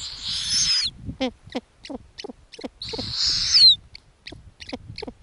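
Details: Snowy owl owlets and their mother at an Arctic nest during feeding on lemmings: two long, rasping, hissing screeches, each ending in a thin whistled slur, separated by quick runs of short squeaky descending chirps.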